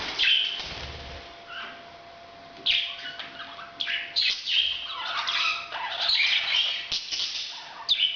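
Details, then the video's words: During breeding, a parrot utters raspy, scratchy chirps and squawks in uneven clusters, some brief gaps between bursts and a denser chattering stretch toward the end. "bird's breeding sound"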